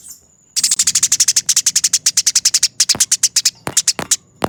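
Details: Eurasian tree sparrow fighting, used as a master recording for training birds: a long unbroken rattle of about thirty rapid harsh chirps, then scattered sharp clicks and chirps.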